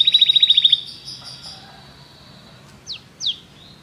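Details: Belgian canary gives a short, quick trill of repeated notes lasting under a second, followed by quiet and then two sharp descending whistles.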